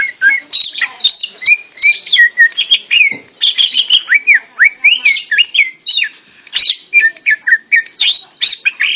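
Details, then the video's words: A hand-held tame greater green leafbird sings loudly, delivering quick bouncing whistled slurs and chirps in steady rapid succession, varied in pitch throughout. "Burung Cucak Ijo Jinak Gacor Meskipun Di Pegang Tangan"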